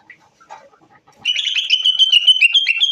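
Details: Moroccan bulbul bursting into loud, continuous warbling after a quiet start with a few soft chirps: a rapid, rich run of whistled and chattering notes that keeps going to the end.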